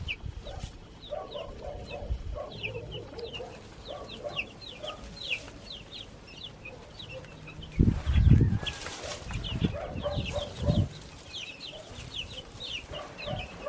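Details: Many baby chickens raised in a backyard give steady high peeps, each a quick falling whistle. Soft low clucks come and go, and a loud thump is heard near the middle.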